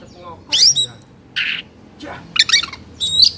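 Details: Oriental magpie-robin kept in Indonesia, worked up and spreading its tail, utters harsh squawky bursts and scratchy chattering notes separated by short gaps.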